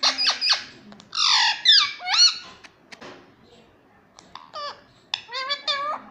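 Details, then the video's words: Talking parrot repeating mummy indoors: bursts of squeaky, harmonic, wavering syllables and squawks, several loud phrases in quick succession with short pauses between. "Mummy mummy bolta parrot || मम्मी मम्मी पापा बोलता तोता"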